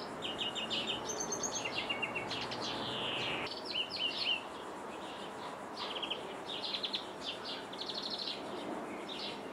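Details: Jordanian greenfinch heard from a window: a lively mix of rapid trills, twitters and a long descending buzzy note, about four notes a second in the busier stretches, then quieter scattered chirps.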